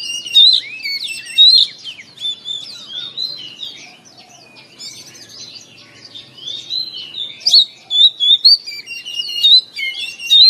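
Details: Oriental magpie-robin morning song for stimulating kept birds: sharp whistled notes and twitters in bursts, a quieter lull midway, then a fresh run of loud, rapid phrases.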